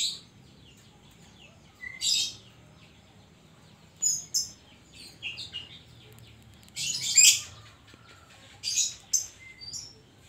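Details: Caged Oriental magpie-robin (kacer) with 'isian' song: scattered loud scratchy bursts and short whistled slurs separated by pauses of one to two seconds, over faint background hiss.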